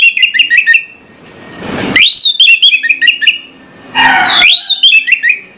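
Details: Orange-headed thrush singing at dawn: bursts of rapid chattered notes followed by a loud rising slurred whistle leading into a descending warbled phrase, with a rushing noise between phrases.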